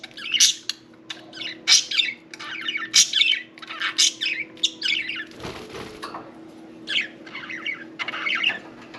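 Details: Pet budgies chattering during bath time: rapid scratchy warbled phrases and squawky chirps, broken midway by a short burst of splashing or flapping, then more chatter. A low hum runs underneath.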